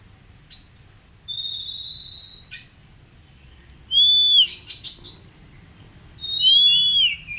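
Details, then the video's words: Oriental magpie-robin song used as training therapy for untrained birds: thin high whistles, a long steady whistled note, a short rasp, then loud arched whistles with rapid buzzy notes between them. "Terapi Kacer Bahan Agar Cepat Bunyi"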